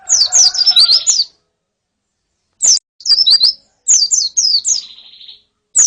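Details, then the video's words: A female and colony of white-eyes calling as song therapy for a male: bursts of high, sharply descending whistles separated by silent gaps, one burst trailing into a steady buzzy note. "Suara Pleci Betina dan Koloni Untuk Terapi Kicau Pleci Jantan"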